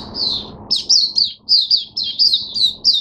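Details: Oriental white-eye kept in a cage, recorded 5 May 2022, opens with one thin note, then pours out quick high twittering phrases of slurred, piping notes in short bursts.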